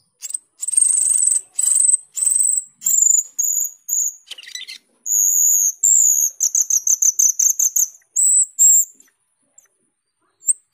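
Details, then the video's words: Jalak keling, a starling in gacor teler form, sings energetically: long sustained very high whistles repeated in runs, then a fast string of quick high pulsed notes before the song trails off to near silence. "cucak keling gacor teler atau jalak keling gacor teler"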